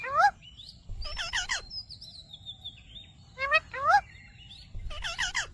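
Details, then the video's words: Pet ringneck parakeet saying "Mitthu Mitthu": paired nasal, wavering word-like syllables recur roughly every second and a half, with a long thin whistle from another bird drifting between them. "Ringneck Parrot Talking Videos||Mitthu Mitthu"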